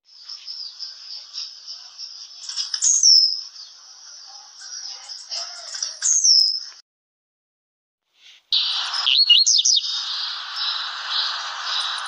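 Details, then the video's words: Blue-black grassquit song: sharp upward buzzy notes near three and six seconds over a steady high hiss. After a short silence comes a louder burst of high twisting notes. "TIPOS DE CANTO DE TIZIU"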